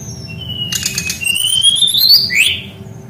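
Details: Brown-chested jungle flycatcher in rolling song, a lure for training young birds: a clicky rattle, then a long whistle rising steadily in pitch and dropping in a quick slur.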